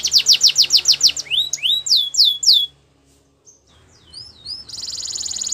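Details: A Belgian canary sings at dawn with quick falling whistles, slower rising sweeps, a pause with a few faint chirps, then a loud continuous high-pitched buzz.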